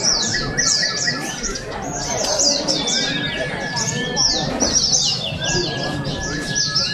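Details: White-eye song at an open bird contest in Balingian, Sarawak, 2023: quick repeated high twittering bursts over a long level whistle, with people talking and a faint low cooing in the background.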